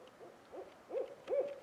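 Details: A Barred Owl on a late-May Friday afternoon spring turkey hunt, in trees, answering a hunter's calls, gives four quick, low hoots, each slurring up and down, the last two louder, in under two seconds.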